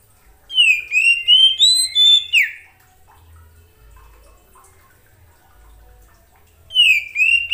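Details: White-rumped shama calling another shama with a rapid run of sweet, slurred whistles and chirps lasting about two seconds, a long pause, then the whistled phrase starting again; quiet low background hum.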